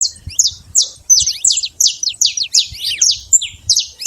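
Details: Saffron finch singing free in the wild: a fast, steady run of high, sharp downward-sweeping chips, about three per second, with faint low rumble beneath.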